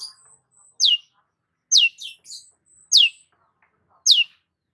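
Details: Long-tailed shrike uttering spaced, shrill downward-sweeping chirps about once a second, with a thin high whistle between some notes.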